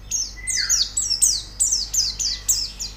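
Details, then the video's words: Therapy audio to spur white-eyes into song: evenly spaced, very high, rapid downslurred chirps, about two per second, one lower drawn-out whistle early on, and a background hum. "Terapi Pleci Cepat Gacor Buka Paruh"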